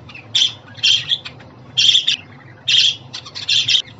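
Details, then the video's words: Budgerigar squawks for a pet bird to hear, about five rough chirp bursts, some paired, roughly one per second with quiet gaps between. "Muhabbet Kuşu Sesi, Kuş Sesi! Muhabbet kuşu ötüşü, muhabbet kuşu çağırma sesleri!"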